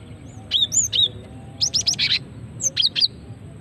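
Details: Calling female cinereous tit, used as a lure to set other birds singing: rapid high chirps in three bursts, the middle burst a fast run of five buzzy notes, the others sweeping two-note chirps.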